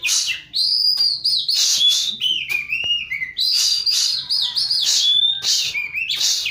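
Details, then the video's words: Vigorous Oriental magpie-robin song meant to coax a silent magpie-robin back into singing: sweet sliding whistles alternating with rasping, scratchy notes, delivered in quick, energetic bursts with short gaps. "Burung kacer Gacor | 1000% ampuh buat pancingan burung kacer macet"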